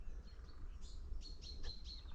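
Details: On a winter forest walk on 6 March 2024, a woodlark sings its descending song, like stairs going down: a quick run of about six liquid, high notes stepping downward over steady low wind rumble.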